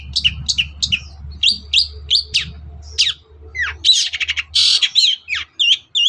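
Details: Long-tailed shrike singing energetically in the morning, a song used to provoke other birds into answering: rapid varied whistled and scratchy notes, upslurred and downslurred phrases, bursts of harsh buzzy chatter, low hum beneath.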